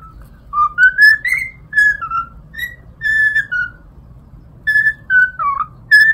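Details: Cockatiel kept as a pet, whistling a melody from My Neighbor Totoro: pure, rising and falling whistled notes strung into a recognisable tune with brief pauses, over a low steady hum.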